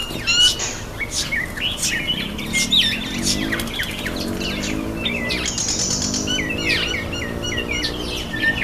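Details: Common myna (Indian myna) taking a bath, giving a busy run of harsh squawks, clicks and whistled chirps, varied and overlapping, with a low hum beneath.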